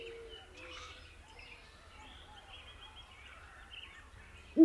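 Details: Great horned owl (Bubo virginianus) giving one loud, deep hoot in daytime, right at the end, after quiet chirps and twitters from other birds.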